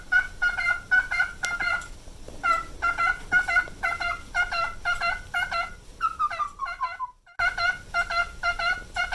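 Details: Pet male cockatiel, nine years old, fond of mirrors, looping its everyday song with a trembling vibrato. Rich harmonic notes pulse steadily about twice a second, with a brief gap near the end.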